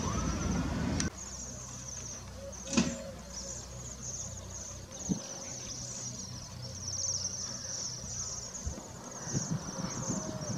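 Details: Bohemian Waxwings in a city park and street in Norwich, November 2016: high, thin, trilling calls run almost without a break over a steady rumble of city traffic and a few passing thumps.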